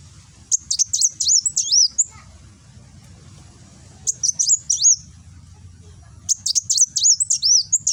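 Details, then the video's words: Kolibri wulung sunbird in nembak song, recorded with an Android phone in Gresik, East Java: three separate phrases of rapid high sharp notes with looping whistles, spaced by quiet gaps of about two seconds. "Burung Kolibri Wulung nembak"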